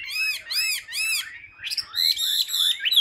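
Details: Chinese hwamei, a caged hand-held bird, singing in a small room: rich repeated whistled notes with strong overtones in fast series, then a varied run of rising whistles.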